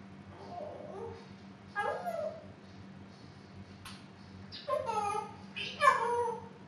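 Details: Pet African grey parrot, a female close to two years old, vocalising indoors: several separate harmonic, voice-like utterances with rising and falling pitch, some with sharp clicks, spread over a few seconds against a steady low hum.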